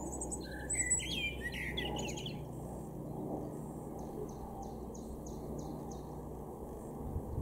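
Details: European robin singing in a garden in Weener, East Frisia, in far northwest Germany, April 2022: a thin, varied warbling phrase with high sparkling notes, then a separate series of evenly repeated short high notes, over low rumbling background noise.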